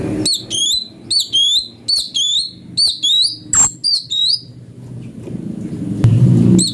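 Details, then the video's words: Brown-breasted Bulbul (cucak cungkok), a master voice for magpie-robins: crisp paired chirps with downward-curving whistles, repeated roughly every 0.8 seconds. A low rumble of background noise follows. "fariasi suara cungko buat masteran murai"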